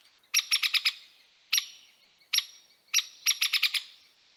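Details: Hairy Woodpecker calls, said to sound rougher than the Downy's, played in a Manitoba winter birding guide. Sharp, high, clipped peek notes come singly and in quick bursts of four or five, with slight echo.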